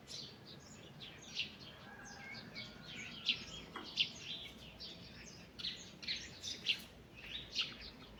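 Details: Morning birdsong in a forest: several birds chirp and twitter in high, bright bursts, with sharp accented notes roughly every second near the end over a soft background hiss.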